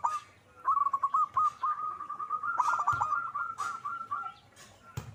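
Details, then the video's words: Zebra dove cooing in a long, almost unbroken rattling run of pulsed notes lasting several seconds, with scattered clicks and knocks. "Suara perkutut gacor"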